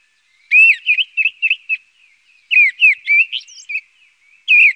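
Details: Mistle thrush delivering fluted song phrases: a rapid run of five or six mellow whistles, a pause, then a more varied phrase ending in a thin high squeak, and a final whistled note starting another phrase.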